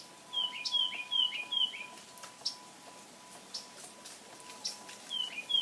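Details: Backyard birds in Pensacola emerging after a harsh freeze to find food, with squirrels about. Quick runs of bright, high down-slurred chirps, a pause, then more chirps near the end, over a faint steady hum.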